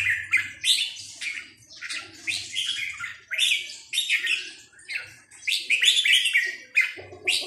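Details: Red-whiskered bulbul, sai nap dok song style, pouring out steady rounds of warbling, bright whistled phrases with brief gaps, faint low thumps underneath.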